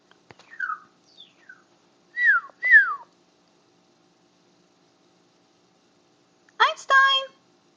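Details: A pet macaw gives several clear whistled slides dropping in pitch, then a harsh ringing squawk near the end; screaming while watching hawks out the window.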